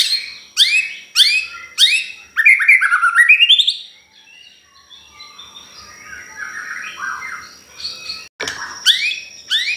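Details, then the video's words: White-rumped shama song for luring other birds: loud sharp rising notes repeated about every half second, a fast trill, then softer warbles and more sharp notes. "Pancingan Ampuhh || Pastol Gacorr !!"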